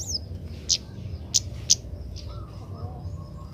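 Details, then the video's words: Young Oriental magpie-robin practising song during training so it sings sooner. A high whistle opens, then three loud sharp chip notes spaced about half a second apart, followed by fainter notes and low background hum. "burung kemade muda belajar bunyi"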